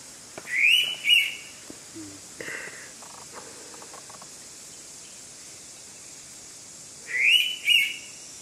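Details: Indian pitta at Keshavraj Temple, Konkan, giving its characteristic loud, clear two-note whistle, the second note slurred, repeated after about six seconds over a steady high insect hiss.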